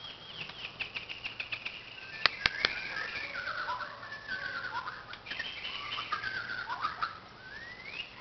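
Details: A White-crowned shama at a playground sings a rich, varied run of clear whistles that swoop up and down, broken by a few sharp clicks over a low hiss.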